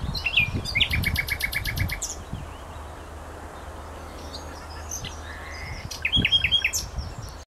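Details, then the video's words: Wild bird singing near Feldberg, Mecklenburg-Western Pomerania, Germany, on 27 May 2011: a quick series of repeated high notes at the start, a quiet stretch, then another short run of notes, over steady low rumbling background noise. "Wer singt da?"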